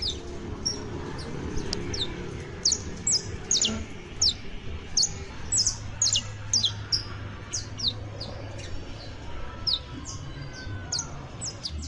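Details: Saffron finch, an exemplary singer, giving a long run of high, quick downslurred chirps in loose clusters with short gaps, steady low hum and faint background noise underneath.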